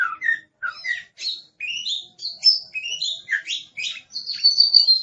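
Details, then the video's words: An aggressive Oriental magpie-robin delivers a chain of separate whistled notes, some rising, some dropping, quickly repeated and climbing in pitch, ending in a sustained high warble. "Suara Master Burung Kacer Galak"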